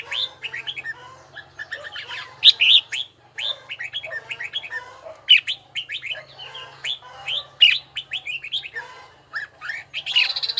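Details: Red-whiskered bulbul rehearsing its song, with a bell-toned, rhythmic delivery: continuous runs of crisp whistled chirps and slurs for about ten seconds, broken by short pauses.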